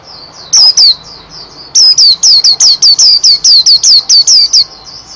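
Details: National champion Mountain white-eye in busy ropel-style song: loud, rapid, high whistled notes, each sharply falling, delivered in a quick run after a brief opening burst and softer twittering, with a faint hum beneath.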